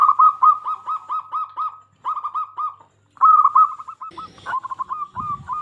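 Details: Local Indonesian zebra dove, a persistent singer, used as a lure to get other zebra doves singing: rapid bursts of short cooing notes near one pitch, each phrase ending in a drawn-out note, with a pause and a brief scuffling noise late on.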